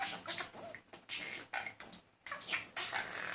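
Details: Indoor pet male budgerigar persistently courting a female: dense, noisy warbling chatter with scratchy clicks and short squeaks running almost without break.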